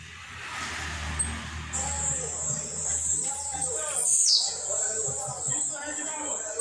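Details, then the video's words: Blue-black grassquit kept at home, singing during training: a single sharp, buzzy note sweeping down from very high to high pitch near the four-second mark, over a steady high hiss and low background rumble. "TIZIU LUXO TREINANDO EM CASA"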